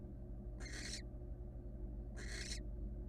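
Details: Wild barn owl female at rest in her nest box; two coarse, noisy hiss bursts about one and a half seconds apart against a steady low hum.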